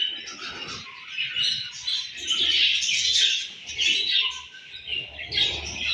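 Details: Baby budgerigars, home-bred, chatter continuously in a dense flurry of high, warbling chirps and scratchy squeaks that swell and fade in waves, with faint low thumps beneath.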